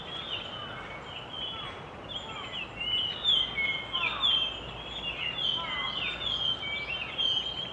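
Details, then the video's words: Singing resident Japanese grosbeaks, several at once, tripod-recorded on a camcorder; dense overlapping whistles and short downslurred notes, a few louder bursts, steady background hiss. "イカルのさえずり A song of Japanese Grosbeak"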